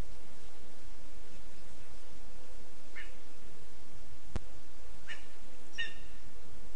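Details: ['Young lesser spotted eagle in its spruce nest, Zemgale, Latvia, 15 August 2024, uttering three brief high calls in the latter half, the last the strongest. Steady hiss runs throughout, with one sharp click.']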